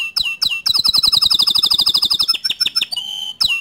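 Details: Canary singing to goad other canaries into song: quick downslurred whistles, then a long fast series of bright repeated notes, a brief flat tone and more sharp chips.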